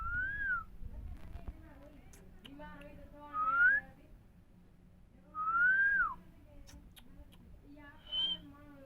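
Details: Indian parrot talking, said to repeat Mithu Miya Mithu: arched whistled notes and short harmonic, voice-like phrases come every couple of seconds, with a low steady hum indoors.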